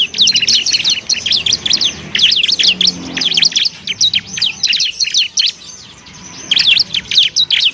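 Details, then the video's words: Bar-winged prinia song used as a master recording for training other songbirds: a dense, rapid run of sharp high chirps and zigzag notes, broken by a short quieter gap near the end before the chatter resumes. "masteran burung ciblek"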